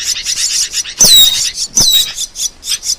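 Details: Asian glossy starling, master recording for songbirds: two loud sweeping whistles that drop in pitch, set within quick repeated high chirps.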